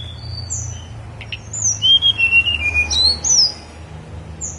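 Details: Snowy-browed flycatcher on Mount Songgo Langit delivering thin, high whistles: a brisk descending run of short notes, then sharp upslurred and downslurred whistles, with quiet gaps before and after.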